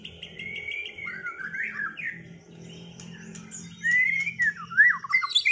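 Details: A white-rumped shama just out of moult, sung against another bird to restore its performance. Quiet, warbled whistled phrases with rising and falling slurs, growing louder near the end, over a low background hum.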